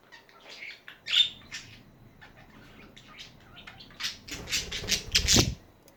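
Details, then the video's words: Budgies chattering: bursts of scratchy, warbling chirps that rise and fall, then a louder cluster of harsh notes near the end along with low rustling or flapping. "Hours of chatting budgies"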